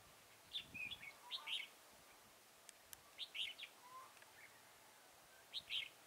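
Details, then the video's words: Trapping session with a decoy red-whiskered bulbul at Chùa Hương, Mỹ Đức, Vietnam, 11 November 2017; clear warbled fighting-song phrases in clusters of three to four notes, a pause, then a renewed burst, with a few faint low chirps. "Bẫy chào mào Bổi Chùa hương - mỹ đức ngày 11/11/2017"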